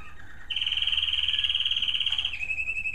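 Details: Captive American Singer canaries sing in evening bird rooms as it grows darker: a long, even, rapidly pulsing trill held at one high pitch for about two seconds, then dropping slightly into a second steady trill.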